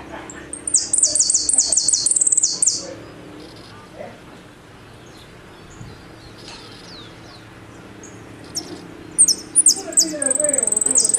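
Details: Argentine goldfinch singing 'golpe y pitadas': a rapid trill of high descending notes at first, then a long quiet stretch of faint background noise, then more high chips and a short whistled run.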